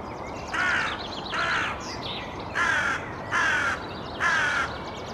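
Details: Hooded Crow (Corvus corone cornix) in Helsinki, Finland, April 2024, calling in a slightly agitated tone: five harsh, rasping, nasal caws, each about a third of a second long, spaced roughly a second apart, over faint background hiss.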